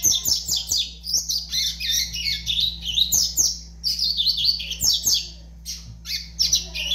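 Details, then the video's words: Five-month-old double-collared seedeater delivering high, rapid chattering song phrases with slurred, sweeping twitters, broken by short pauses, over a constant low hum. "FILHOTE DE COLEIRO AVAX 5 MESES DE VIDA"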